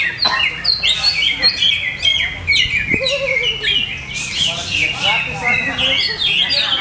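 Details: Greater green leafbird kept by its owner, whose conditioning setup is still being tested, sings a dense, fast run of varied high chirps and short whistled notes. A brief lower wavering sound is heard mid-way.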